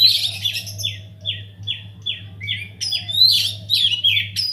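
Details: Oriental magpie-robin singing vigorously inside an aviary, used as a lure to get other birds singing: a continuous run of varied, high whistled and slurred notes, many falling sharply, over a steady low hum.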